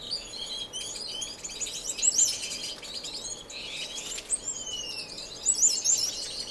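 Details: Several finches in a non-breeding community aviary indoors in Edmonton, Canada, March 2015, give a dense overlapping chorus of high chirps, buzzy trills and a falling whistle, with continuous twittering throughout.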